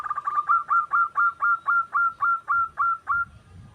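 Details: Wild local zebra dove singing steadily, used as a lure for other doves: a run of about a dozen short, bright cooing notes at a mid pitch, evenly spaced about four per second, each note with a quick upward flick, fading out at the end.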